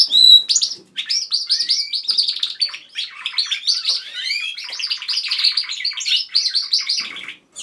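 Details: Pet canaries at home singing as a group, opening with a clear whistled note, then lively phrases of fast trills, rattles and upward-sweeping chirps, pausing briefly before the end.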